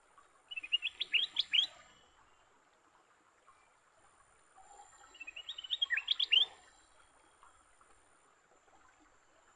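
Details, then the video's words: Captured leafbirds in a fight give two clear bursts of quick, rising, whistled chirps, each phrase about a second long and separated by a pause of roughly three seconds. "Tarungan Burung hijau"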